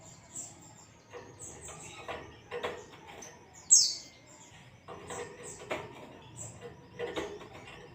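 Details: White-eye in the 'ngalas' singing style, used as a lure to set caged white-eyes singing: thin, very high squeaky notes scattered through the clip, one sharp louder chirp near the middle, over clicking and rustling background noise.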